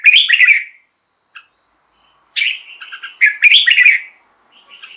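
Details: Red-whiskered bulbul song for luring wild birds and exciting caged birds: two loud, bubbling whistled phrases separated by a quiet pause, ending with soft trailing notes.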